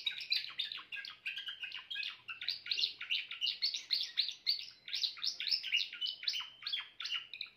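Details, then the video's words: Song of a grey Timbrado canary, a continuous run of fast chirped syllables, about three per second, rolling warbles sitting high and bright with no other sounds. "meilleur chant canari timbrado l chant d'un canari timbrado gris"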